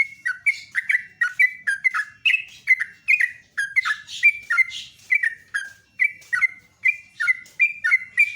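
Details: Sooty-headed bulbul singing in the morning, loud and clear: short bubbly whistled phrases, each dropping then rising, repeated about every half second in a steady chattering run, with no other sounds.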